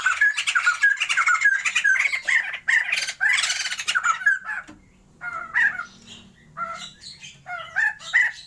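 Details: A captive pair of Sumatran white-crested laughingthrushes kept for breeding, loud harsh laughing bursts for about four seconds, followed by sparser, softer clipped chatter notes.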